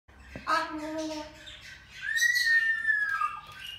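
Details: Salmon-crested cockatoo giving two drawn-out, harmonically rich nasal calls, the first level and about one second long, the second rising then slowly falling, with faint background chatter.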